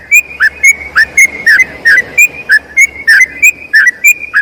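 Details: Tutor song of a yellow-vented bulbul in long rolling style: an evenly paced run of clear whistles, each note ending in a sharp downward slide, repeating quickly and continuously.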